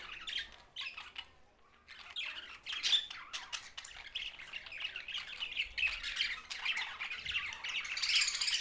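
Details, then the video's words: Budgerigar flock, Larkana, Sindh: a quieter opening with scattered squawks builds into steady, overlapping warbles and harsh chirps, growing louder toward the end. "Budgies Australian parrot sounds"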